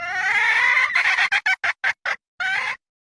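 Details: A red junglefowl (Gallus gallus) hen gives a drawn-out harsh cackle, then five quick clucking notes and a final longer squawk, all in about three seconds.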